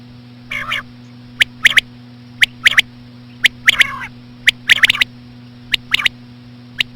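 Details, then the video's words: Female common quail calls, played slowly to attract quail for hunting: short, sharp clicking chirps given singly, in pairs or in quick clusters at irregular intervals, over a steady low electrical hum. "COMMON QUAIL CALLING WITH SLOW FEMALE QUAIL SOUNDS"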